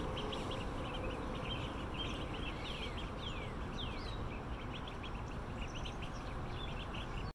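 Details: Indian Runner ducklings, about a month old, hungry and eating greedily; many high thin peeps overlap, some slurring sharply downward, over a steady low rumbling background noise.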